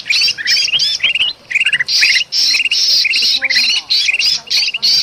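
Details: Noisy, excited bulbul calls, Sumatra forest, used to lure birds. Rasping bursts and short upward-slurred notes tumble along steadily, with a brief pause mid-stretch before the commotion resumes.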